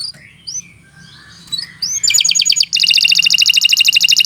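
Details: Canary in full song. Scattered sweet chirps and upslurred notes lead into a loud, fast, metallic trill of rapid repeated pulses that carries on steadily for the last two seconds.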